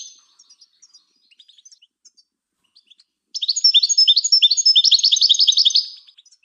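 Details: European goldfinch song meant for training other birds. Faint scattered high ticks and chips lead into a loud, sudden burst of rapid, bright trilled twittering lasting nearly three seconds. Quiet background.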